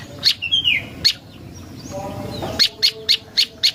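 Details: Prinia (prenjak lumut) song used as a lure: sharp, high chips in a short burst, then a pause with a faint descending whistle, followed by a steady run of five evenly spaced, clipped notes.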